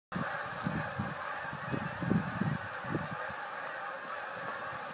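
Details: Canada geese in fall in Northern Illinois, giving a run of short, low, nasal honks in irregular quick succession over a steady broad hiss of background noise.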